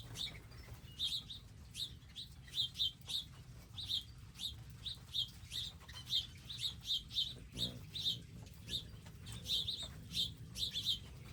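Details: Several wild birds at a garden feeding station with seeds and water, giving quick high tweets in a busy, irregular stream for the whole stretch, with a faint low rumble underneath.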